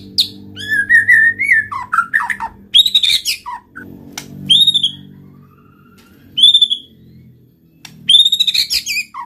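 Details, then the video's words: Murai batu, or white-rumped shama, singing to spur other shamas: whistled warbles and high ringing notes in spaced bursts, with a low droning hum underneath. "pancing MURAI BATU malas bunyi/bahan paling mudah direspon tanpa takut |murai gacor |shama bird"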